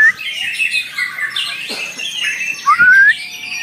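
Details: White-rumped shama at a singing contest, giving pure, sweeping whistles that rise steeply, with a dense chorus of other chirping birds and faint voices behind.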